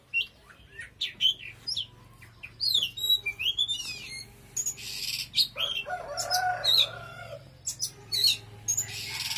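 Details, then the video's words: Oriental magpie-robin in intense song: varied whistled slurs and chirps, then bursts of buzzy scratchy notes mixed with bright whistles, faint steady hum beneath. "Choè than hót cực khủng"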